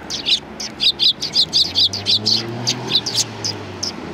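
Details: Eurasian tree sparrows chirping, recorded 28 December 2019: a lively run of short, bright chirps repeated about twice a second, several overlapping, with a low steady hum underneath.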